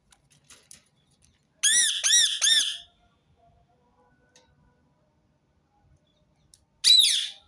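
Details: Three loud, grating parakeet screeches in quick succession, then a long silence before a single final screech. Rose-ringed parakeet calls repeated to prompt other birds to sing.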